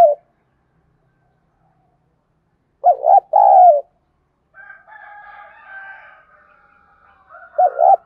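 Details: Cooing spotted dove used to prompt wild doves to respond: phrases of two short notes and a longer coo separated by pauses, with a faint, distant, drawn-out crowing-like call between them.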